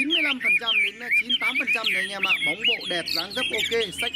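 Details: Caged tame Chinese hwamei with fanned tail singing confidently in its cage: a rich, fast, varied run of slurred whistles and warbled notes, with a man speaking briefly.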